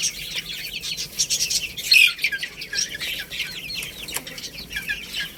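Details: Several young chickens chirping while eating rice: dense, overlapping high thin peeps and curling down-slurred chirps, continuous throughout, with sharp brief clicks scattered among them and no other voices.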